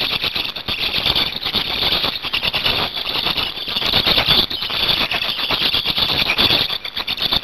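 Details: Black storks at a nest in Hungary on 8 May 2019, during a change-over of adults and feeding: a continuous harsh, rasping squeal with a dense scratchy texture, rising and falling in loudness throughout, with no clear pauses.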